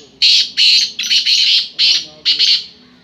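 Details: Black francolin calling: six harsh, buzzy notes in quick succession, some doubled, loud and close.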